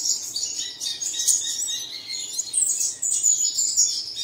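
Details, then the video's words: Bird song played at early morning to prompt caged birds to sing, from Tan Phu, Dong Nai, Vietnam: dense high twittering and chirping from several birds overlapping continuously, with short whistled slurs. "Bật Tiếng Chim Này Lên Vào Sáng Sớm Chim Của Bạn Sẽ Hót Ngay"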